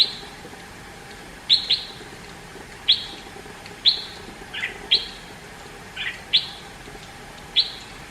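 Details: Red-whiskered bulbul from India giving a series of high, snappy chirps, sometimes in quick pairs, with a couple of lower, softer slurred notes between, roughly one per second.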